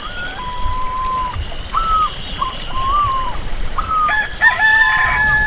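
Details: Rooster crowing in the countryside, a harmonic call swelling near the end, with whistled birdsong earlier and a steady pulsing cricket chorus throughout.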